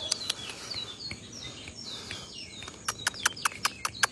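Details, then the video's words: Bajero near Valledupar, Colombia, at 5 pm on a Monday in July 2025, sings thin, high, down-slurred whistles, then a quick run of sharp, dry chips, about three per second, over faint outdoor background noise. "CANTO DE BAJERO"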